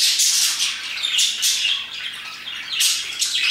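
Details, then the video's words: Several parakeets chirping around 2pm, with loud bursts of harsh, high squawks and chirps that rise and fall in waves over a constant chattering background. "Parakeets chirping and singing their hearts out"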